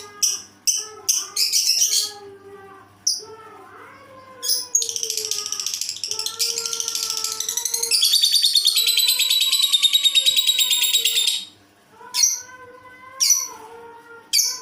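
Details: Lovebird with a peculiar voice: scattered shrill chirps, then a long buzzy, rattling high trill lasting several seconds, followed by more sharp squeaks. Soft gliding tones hum in the background.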